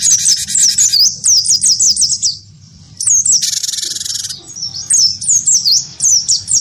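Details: A vocal wingko cinereous tit answers a white-eye with fighting song: clipped, high, rapidly repeated downslurred notes in bursts, with two coarse buzzing stretches and a short hush around two and a half seconds.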